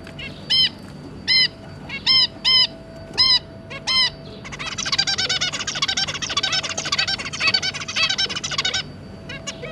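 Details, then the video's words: Captive zebra finch family, two adults with three juveniles, recorded on 2 August 2022: several loud nasal honking calls with stacked harmonics, then a rapid dense chattering song run for about four seconds. "Zebra Finch - Jobby and Yongi, and their 3 juvenile babies"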